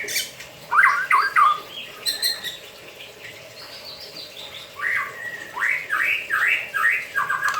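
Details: Caged white-rumped shama, bathing yet still singing: short bursts of slurred, rising whistles separated by a quieter pause, then a series of repeated phrases.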